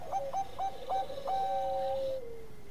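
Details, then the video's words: Lure song of a Bangkok-type zebra dove used to set other doves singing: four or five short hiccuping coos at a steady pace, then one long, smooth note that slides gently downward at the end. "Pancinganan Suara kung Perkutut Bangkok Gacor"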